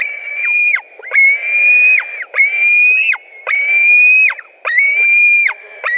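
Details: White-tailed eagles feeding on fish at their nest in Latvia, 16 July 2020. Insistent series of drawn, piping squeals about a second long, slightly rising, each ending with a sharp downward slur.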